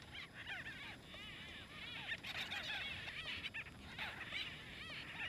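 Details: White-fronted bee-eaters fighting over nesting space in Kruger National Park, South Africa: a dense chorus of overlapping short, arched, chirping notes in rapid succession, several birds calling at once.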